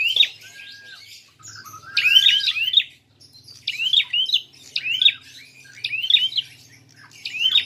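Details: Fighting call of a prinia used as a lure to stir up other birds. Sharp, angular chirps come in pairs or triplets about once a second, over a low background hum.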